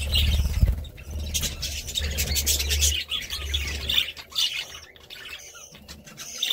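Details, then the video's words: Budgies twitter and squawk in rapid uneven bursts, loudest early on and thinning toward the end, with a low rumble fading out midway. "Budgie Sounds"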